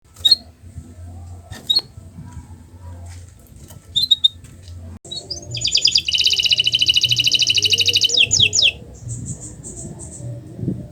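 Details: Kenari Nusantara canary master recording meant to prompt silent canaries into singing: scattered high chirps and brief whistles at first, then a loud, dense buzzy trill of rapidly repeated notes lasting about three seconds, followed by softer chirping.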